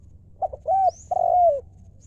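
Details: One phrase of spotted dove 'lio' cooing: two quick soft notes, then a smooth arched coo and a longer, sliding, descending coo. A faint high chirp is heard in the background.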